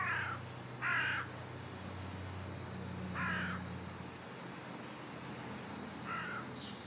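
A carrion crow gives four harsh, hoarse caws, spaced irregularly every one to three seconds, over a steady low hum of distant traffic.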